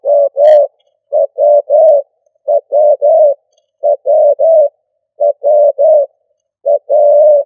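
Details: Spotted dove used as a decoy, stuttering 'cà lăm' cooing. Steady, clean phrases of three low, hollow coos, the first short and clipped and the last drawn out. They repeat about every 1.3 seconds with no other sounds.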